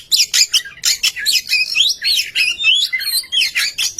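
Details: Oriental magpie-robin singing as a lure for other birds: a dense, continuous jumble of scratchy, buzzy notes woven with rising and falling whistled phrases.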